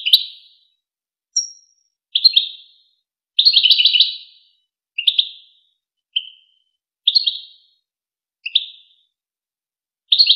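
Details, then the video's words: Goldfinch song from the celebrated Wakr Touzgha tape, used to train goldfinch chicks and hybrid birds. A sequence of about nine short, high, twittering phrases at uneven intervals, one long dense trill near the middle, with a thin whistle early and clear echo tails. "شريط وكر توزغة الشهير لتسميع فراخ الحسون و الهجين"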